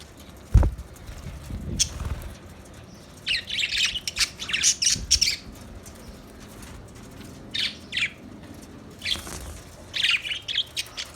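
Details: Budgerigars chirping: scattered bursts of scratchy, squawky high chatter in clusters, with long quiet gaps between, a low thump near the start and faint low rumble underneath.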